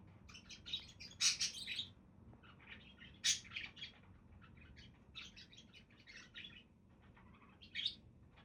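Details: Budgerigars chirping: scattered bright, buzzy warbled chirps in short clusters, some louder peaks, irregular pacing over a quiet background.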